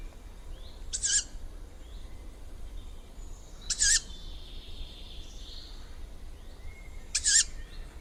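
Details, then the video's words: Juvenile tawny owl calling: three short, harsh, hissing screeches spaced several seconds apart, each a brief noisy burst, with faint background hiss between them. "canto di un allocco giovane - Juvenile Tawny Owl call"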